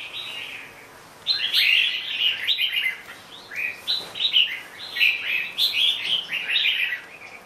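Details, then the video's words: Red-whiskered bulbul song: after about a second of near silence, a lively string of chirpy, liquid warbled notes follows in quick phrases with short pauses between. "Chào mào bông"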